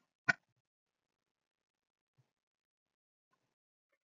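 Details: A single sharp click breaks near-total silence in a quiet room, followed by a faint soft tap about two seconds later.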